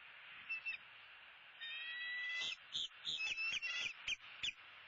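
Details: Bald eagle at its nest in southwest Florida while feeding at sunrise, 2-6-16: a few high whistles lead into a rapid, uneven series of shrill chittering notes, roughly three per second.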